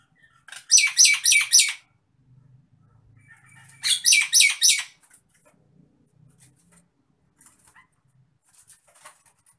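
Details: Two bursts of four or five fast, grating harsh notes about three seconds apart from an agitated Nias hill myna, with faint soft chatter and quiet in between.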